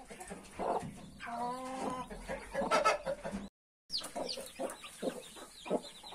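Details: Hen with a brood of 31 newly hatched chicks: a drawn-out, tonal, slightly falling call, then rapid clucks; after a short gap, high rising and falling chick peeps mix with low clucking.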